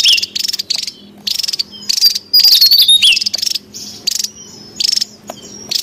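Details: Javan tesia heard in the wild, used to lure and train birds: short high buzzy bursts spaced by pauses, with a burst of thin twisting whistled notes in the middle.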